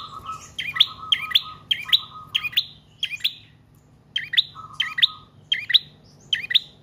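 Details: Rapid series of sharp double chirps from a prinia of the trotol or paot type, used as a lure and training bird, over a steady buzzing tone that stops and restarts.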